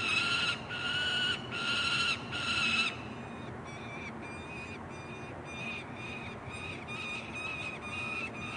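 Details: Young peregrine falcons around a city nest ledge in Columbus, Ohio, late June 2016: three loud drawn-out rasping wails, then a run of fainter, shorter screams, as if from a second bird farther off.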